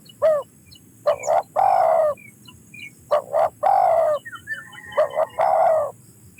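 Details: Spotted dove calling: three phrases, each a quick double coo followed by a longer, husky, falling note, spaced about two seconds apart, with light chirping of other birds in the background.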